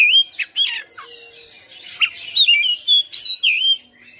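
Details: Oriental magpie-robin kept at home, singing continuously with its fill-in repertoire. Sharp, high whistled notes and quick slurs open the phrase, followed by a lively burst of varied rising and falling whistles.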